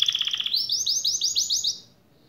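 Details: Canary singing to spark song in silent canaries: a brief buzzy trill followed by a quick series of rising-falling slurred notes, then silence.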